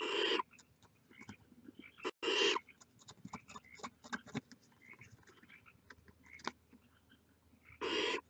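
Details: Rasping hisses from barn owl chicks at the nest, heads out: three loud bursts at the start, just after two seconds, and near the end, with clicks and small scratching sounds filling the gaps.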